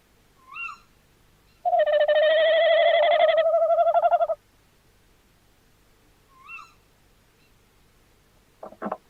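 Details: Tawny owl calling on 11 January 2026: soft rising squeaks, then a loud tremulous note of almost three seconds, more squeaks and a brief knock near the end.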